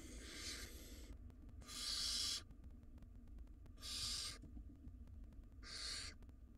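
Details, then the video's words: Young wild barn owls in a nest box in a tug-of-war over a very large rodent; a faint hiss followed by three loud, raspy screech-hisses, steady and broadband, roughly two seconds apart. "Barn Owl Nestlings Engage in Tug-of-War Over Very Large Rodent Prize"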